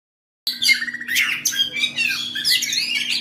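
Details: Oriental magpie-robin singing in ngobra style: after a short silence, a dense run of harsh squawking and chattering notes with rapid slurred whistles, loud and continuous, over a faint steady low hum.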